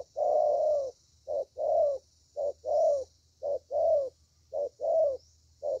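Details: Young spotted dove with a fine voice, cooing in the style called thổ. Low, hollow coos alternate short and long, repeated steadily at about one per second, with a faint high hiss in the background.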